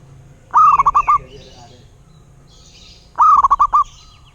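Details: Two phrases of a local zebra dove's song, each a drawn-out coo followed by a quick string of short, bouncing notes, separated by a pause with soft background chirping.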